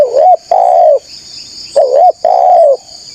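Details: Spotted dove calling loudly, used to lure wild doves: two coos, each a short wavering note followed by a longer, steady, slightly falling coo, in the mid-low range. A steady high-pitched buzz runs throughout.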